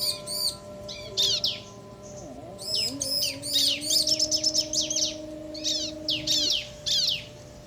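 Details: Male and female bar-winged prinia in a duet of alternating phrases, a crystal-style ciblek performance. Sharp high chirps come in clusters, speeding into a rapid run midway, over a low faint tonal hum.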